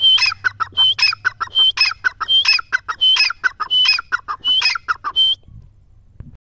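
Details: Grey francolin calling continuously: a whistled note followed by a run of harsh, clucking syllables, repeated roughly every 0.7 seconds for about five seconds, then quiet.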